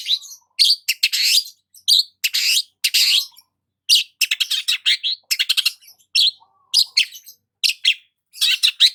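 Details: A long-tailed shrike sunbathing in the morning sings a fast, scratchy jumble of harsh chatters, buzzy bursts and brief sweeter notes, in quick bouts with short pauses.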